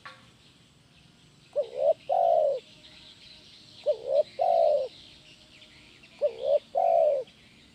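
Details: Vigorous "kuk 1" song of a spotted dove, meant to train other doves. After a quiet start come three phrases at about 2.3-second intervals, each two short notes leading into a longer round coo.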